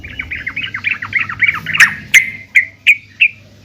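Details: A female yellow-vented bulbul calls to the male, used to prompt singing: a rippling series of quick warbled notes gives way to four separate sharp, clear chirps spaced about a third of a second apart.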